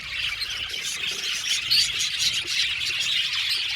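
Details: Budgerigar colony of 70 pairs in an aviary: a dense, continuous chorus of high chirps and scratchy warbles, with many birds calling at once and a brief whistled note standing out midway.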